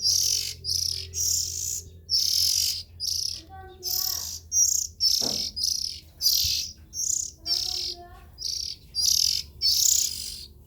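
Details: Young oriental magpie-robins giving quick, scratchy hissing calls in a dense series, while another bird adds a few soft, tonal, stepped notes at lower pitch.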